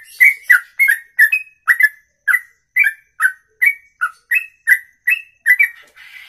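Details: Continuous ropelan from a songbird, an extended one-breath song of more than two minutes; loud whistled slurs repeat about twice per second, some dipping lower, ending with a brief noisy rasp.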